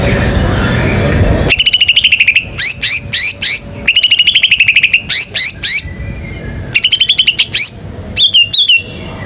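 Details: White-rumped shama with a complete, varied repertoire, singing to provoke other birds to sing: rapid high rattling trills in bursts, alternating with short clear swooping whistles, in three repeated sequences.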